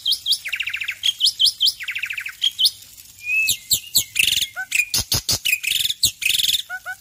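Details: Morning song of a male Black-winged myna, dense and varied: rapid rattling trills, squeaky whistles, harsh chattering bursts and short clear downslurred notes, delivered almost without pause.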